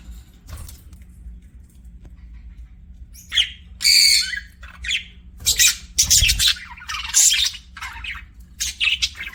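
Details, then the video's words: Budgerigar, a pet, giving scattered harsh squawky chirps after a quiet start, short loud bursts with gaps between them. "BUDGIE CHIRPING SOUNDS"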